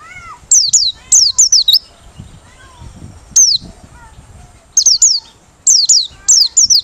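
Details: Merapi 'ngalas' white-eye singing with open beak, offered as a lure bird: bursts of shrill descending whistles in twos and threes, a lower rising whistle heard at the start, and short gaps between bursts.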